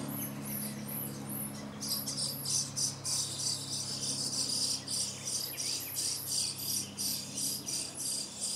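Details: Common starling singing in a small wood by Jarun, Zagreb, Croatia, recorded 30 April and 2 May 2017: dense, fast chattering and clicking rattles packed high in pitch, continuous throughout, over a faint low hum.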